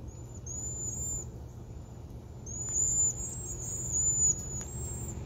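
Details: Several cedar waxwings perched in a crab apple tree in autumn give very high, thin, lisping trilled whistles, overlapping at once, over a low steady rumble of distant traffic.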